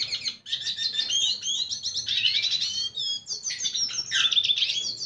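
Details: High-pitched, unbroken warbling from a red siskin singing to attract a female, mixing fast chattering trills with rising and falling whistled slurs.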